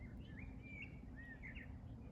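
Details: Common Whitethroat at a monitored nest, with a parent bird apparently trying to get back in, gives short, scratchy chirps and slurred notes in quick succession over a steady low rumble of wind or distant traffic.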